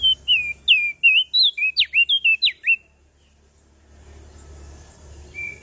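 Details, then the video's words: Common tailorbird from Lombok singing vigorously: a fast run of about thirteen bright, sharply slurred whistles, some rising and some dropping, packed into three seconds, then quiet background hum. "Burung Prenjak Daun Lombok Gacor Full Isian"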